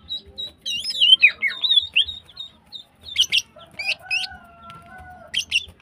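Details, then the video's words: Energetic female greater green leafbird giving varied chattering song: twisting whistled notes and sharp buzzy bursts in quick succession. Quieter pauses in between, with a faint long steady tone near the end. "CUCAK IJO BETINA GACOR HIPER BIKIN Gacor Semua Burung"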